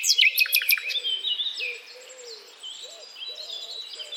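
Common Nightingale song: a rapid burst of sharp, descending chirps, then sweet whistled phrases and rising trills over a faint low hum.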